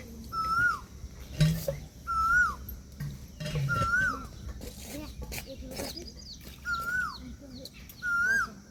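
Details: Peahen of the Indian peafowl calling six times in a steady series, roughly every one and a half seconds. Each note is a thin level whistle ending in a quick downward flick, with light clicks and rustling between calls.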